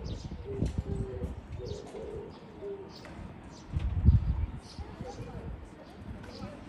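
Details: Oriental turtle dove, recorded 13 April 2024: a short phrase of low, hoarse coos, several notes in the opening seconds, then quieter, over strong low-pitched rumbling noise and scattered faint bird chirps.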